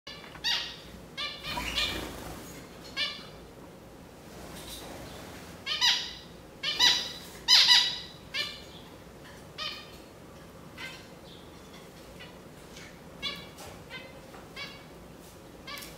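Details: Zebra finch giving short nasal, harmonic calls in scattered bursts, some doubled, with quieter spells between and a faint steady background hum.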